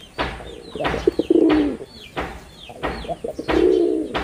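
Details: Performing male red-bordered wild pigeon gives two low, rolling coos, with sharp broad bursts like flapping or knocking between them and thin descending chirps from small birds in the background.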